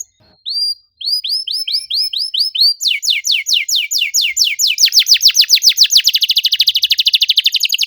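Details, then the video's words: Canary singing as a lure for silent canaries. A row of short, bright, rising chirps repeats quickly, then breaks into a dense, accelerating trill of downward strokes that grows louder toward the end. "PANCINGAN KENARI MACET GACOR NEMBAK RAPAT CUIT CUIT"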